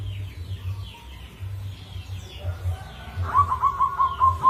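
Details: Local zebra dove with a rare rhythm, giving a lure song. A low throbbing hum and faint chirps come first, then quick beaded coo notes repeat steadily near the end.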